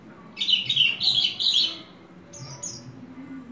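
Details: Horsfield's bush lark, a hobby bird, delivering a brief burst of rapid, scratchy high twittering lasting about a second, followed by two thin, high notes.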